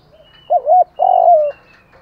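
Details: Morning lure call of a spotted dove meant to provoke other birds: one phrase of two quick wavering coos followed by a long, slightly falling coo, with a faint hum behind.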